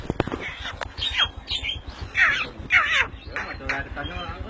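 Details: Tame pet Javan myna, in full voice, gives harsh, raspy squawks about twice a second, uneven in spacing, with people talking nearby.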